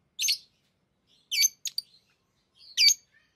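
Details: Pet lovebirds playing with rings give three main harsh, squawky high chirps over about three seconds, one followed by two quick clipped clicks.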